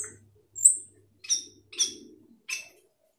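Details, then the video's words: Asian glossy starling giving a short series of four or five sharp, high metallic notes roughly every half second, with a faint low hum beneath. "Cucak keling gacor teler full isian"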